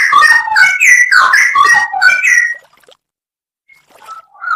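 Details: Masteran recording of Straw-headed bulbul, full 'isian nembak': an energetic two-and-a-half-second outpouring of rich, rolling whistles and warbles, then silence, then a few soft notes returning at the end.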